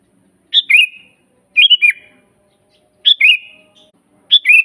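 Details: Sooty-headed bulbul singing in a master recording for teaching songbirds: four brief liquid phrases, each a high note sliding into a rich warbling whistle, repeated at roughly one-second intervals without other sounds.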